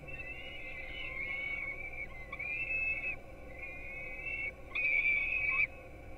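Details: Nestling peregrine falcons in Gdynia, Poland, being fed breakfast at 4:21 am, 5-11-16, picked up by a nest webcam. Four or five separate whistled, slightly wavering begging wails of about a second each, the last one loudest, over a quiet electrical hum.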